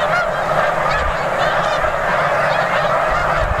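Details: Snow geese massed in enormous numbers at Bombay Hook National Wildlife Refuge in Delaware, USA, December 4, 2006, give a steady wall of yelping honks, many birds calling at once without pause.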